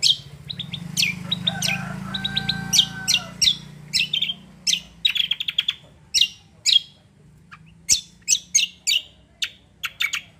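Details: Cucak singing a gacor kombo song, rapid series of crisp, high staccato chirps with brief pauses, steady low hum underneath.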